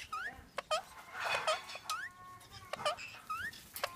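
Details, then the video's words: Indian ringneck parakeets mating, kept as pets: grating squawks and rising upswept calls, brief clicks and a noisy rustling burst midway. "Indian Ringneck Parrot Mating"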